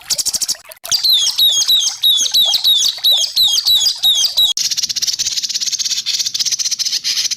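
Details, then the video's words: Harsh burst phrases of a White-rumped shama, used for training songbirds: rapid, complex phrases of sweeping high whistles, then a sudden switch to a dense, buzzy, high-pitched trill. "Masteran burung murai batu terlengkap full tembakan kasar"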